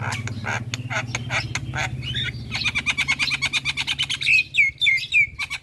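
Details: Javan myna in nonstop chatter: scratchy broadband notes over a low steady hum, then fast rattling buzzy trills and a series of sharp upslurred whistles near the end.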